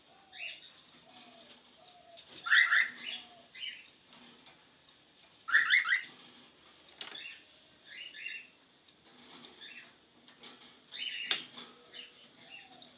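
A cockatiel gives loud, bright, chirping bursts, copying the beep of a car lock.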